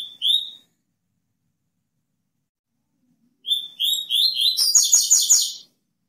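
A Double-collared Seedeater gives a short, high whistle, then after a pause a fast phrase of sliding whistles that breaks into rapid buzzy, clicking notes.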